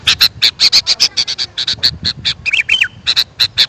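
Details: Lure recording of a sooty-headed bulbul for calling wild birds: steady, evenly spaced, sharp chip notes, roughly four each second, with one quick looping whistled phrase near the end.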